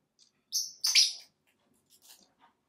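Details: Pet lovebirds, a Blackmask and a Violet Fischer's, during daily out-of-cage playtime on a cat tree by a window indoors: a couple of loud, high, harsh chirps, then a few faint soft twitters.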